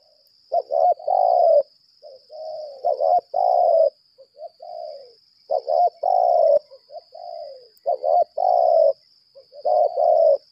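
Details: Long 'berlaga' challenge sequence from a decoy spotted dove, 'lambung kuk' type: loud, rough, rolling coo phrases roughly every two seconds, interspersed with quieter short and falling notes, above a constant high-pitched whine.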